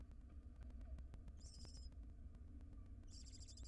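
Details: A barn owl mother brings a ring-necked parakeet to her nest in a monitored box, wild birds. One short hissing screech, then a second rasping burst near the end, over a steady low hum.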